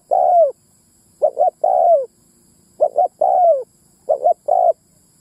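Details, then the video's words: Lure calling by a spotted dove to pull in males and females: four low phrases, each a stuttered pair of short coos ending in one sustained coo with a drooping tail, separated by short silences. "Tiếng mồi đất rút bổi cu bổi mái"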